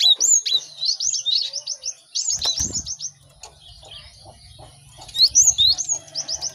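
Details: Busy cinereous tit song for tutoring birds to sing quickly: runs of rapid high slurred notes, a low flutter-like rumble near the middle, then quieter spell before another short bright trill.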